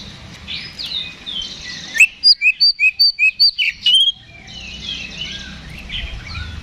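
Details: Oriental magpie-robin singing aggressively as a fighting lure: a tight burst of about eight loud, sharp paired notes in quick succession, framed by softer background twittering from other birds.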